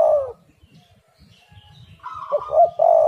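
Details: Spotted dove cooing, used as a lure to make other doves sing: one low, rich coo phrase fades out at the start, and another begins at the end. Faint higher whistled tones and a low rumble fill the gap.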